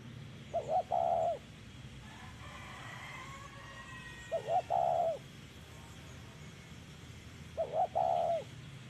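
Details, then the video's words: Spotted dove cooing in 'thổ' voice style during dove trapping, each phrase a couple of short low coos then a long wavering coo, repeated roughly every three and a half seconds against a soft background hiss. "Bẫy Chim Cu Gáy Đất Hay | Gáy Giọng Thổ Cực Hay"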